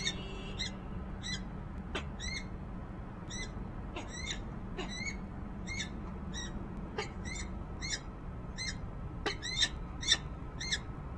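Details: Resident female peregrine falcon at her Harrisburg, PA nest ledge, January 19, 2013, nest camera audio: long sequence of repeated short, scratchy calls, spaced about half a second apart, quickening near the end, with steady low background noise.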